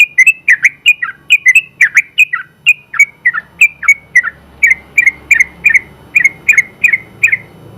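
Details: Sooty-headed bulbul, winner of first place in the open class, pouring out a long 'ropel' song: dense, pulsing rows of bright two-part whistles, evenly spaced, each ending in a quick downward slur.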